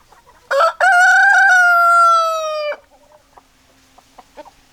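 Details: Rooster crowing, one loud harmonic crow opening with a couple of stuttered notes then holding a long, slightly falling cry for about two seconds, followed by faint clucks from hens.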